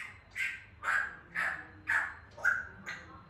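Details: African grey parrot giving natural calls: a run of six harsh, hoarse squawks, about two per second, each a short burst with a slight downward slide.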